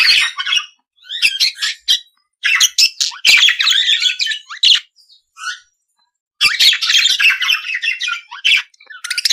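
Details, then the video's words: Budgerigar chattering in bursts of squawky, scratchy notes and quick chirps, broken by short silences of about a second, with a longer pause midway before the busy warble resumes. "periquito Austráliano"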